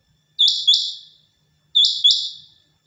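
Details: Quail calling, two bright, high-pitched double-note bursts about 1.4 seconds apart. Each is a quick pair of sharp notes that trails off, against an otherwise quiet background.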